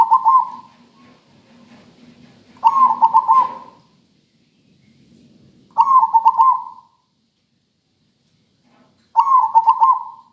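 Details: Local zebra dove singing a melodious rhythmic song, used to prompt lazy caged birds to sing; four cooing phrases near one kilohertz, each a quick string of pulsed notes, roughly every three seconds, with a faint low hum between.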